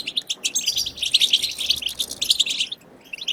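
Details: European goldfinch chirping in the wild style, used to spur goldfinches to sing: a short burst of rapid, high, sparkling twitters that stops abruptly near the end, followed by a few faint notes.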